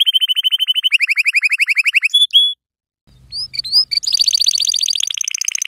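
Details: Yellow canary song used for teaching young canaries to sing: fast even trill of repeated notes, then a brief pause, sweeping whistles and a high, dense rolling trill.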